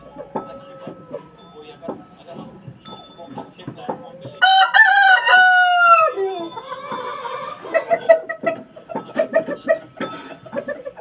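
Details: Indian desi rooster crowing once: a loud, harmonic, falling crow of about a second and a half, preceded and followed by soft clucks and farmyard clatter.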